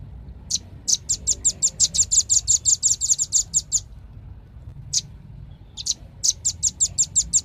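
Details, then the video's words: Velvet-fronted nuthatch, named locally as rambatan paruh merah, giving rapid series of high, sharp ticking notes, about a dozen in quick succession, a brief pause with a few isolated notes, then another fast run; low background hum. "SUARA BURUNG RAMBATAN PARUH MERAH"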